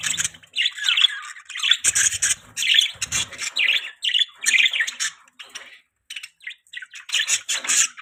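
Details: Budgie parakeets chattering: rapid warbled chirps and scratchy squawks in repeated bursts, with a short quiet gap near the end before the chirping resumes.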